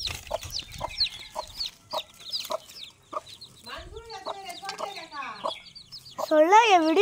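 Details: A hen clucks in short, regular low notes while her chicks cheep in high, quick, slurred peeps; a wavering, drawn-out call rises at the end, and human speech is nearby.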